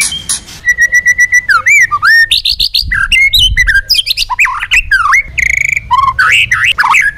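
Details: White-rumped shama singing a training song in forest-voice style: rapid varied phrases of pure whistles, sweeping slurs, buzzy trills and sharp clicking notes, densely packed with brief pauses, loud and close.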